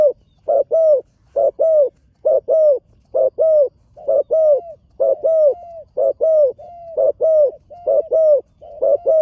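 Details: Young spotted dove training on the competition ground for the first time, cooing steadily: a fast, regular series of paired mellow coos, a clipped note then a slightly longer falling one, about once per second without a break.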